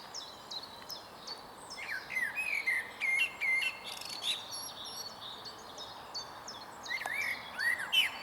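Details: On 22 April 2022 at Huys te Warmont Estate, a male blackbird sings from a high stump: two bursts of low fluted, slurred notes a few seconds apart, over a chorus of sharp high chips from other birds.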